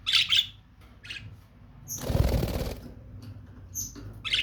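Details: Lovebird calls: sharp, high squawks at the start and end, with a burst of wing fluttering in between and one thin whistled note.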